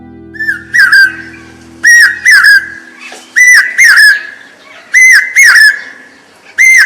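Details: Common Hawk Cuckoo call, described as a sign that the rains are arriving: loud, whistled paired notes with strong overtones, each phrase rising then falling, repeated roughly every second; a faint low hum underlies the opening seconds.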